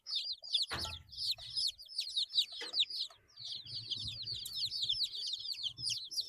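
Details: Eight-day-old domestic chicks peeping continuously in a dense chorus of many birds, high thin descending chirps overlapping rapidly, with a few low thumps and scuffling sounds underneath.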